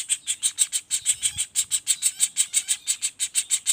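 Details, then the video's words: A young common flameback delivers an unbroken series of piercing, high chipping notes at a quick, even pace, about three per second, used as a tutor recording for songbirds. "Suara Pelatuk Bawang Anakan Roll speed tanpa jeda"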